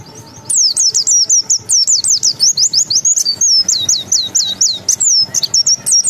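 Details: Zosterops white-eye from Indonesia, a bird kept and contested for its clever mimicry, in full song with open beak: a rapid, continuous stream of high, sharply slurred whistles and twitters, very bright and energetic.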